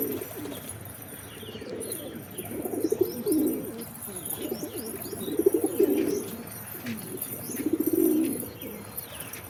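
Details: Pigeons cooing in a loft-type setting: low, throaty rolling coos repeating every two to three seconds, with faint higher chirps of small birds in the background.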